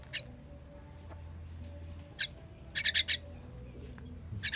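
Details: Begging chicks at feeding time, dated 21.06.23: isolated harsh rasps at first, then a fast cluster of four intense hissy notes, another short burst closing the sequence over a low hum.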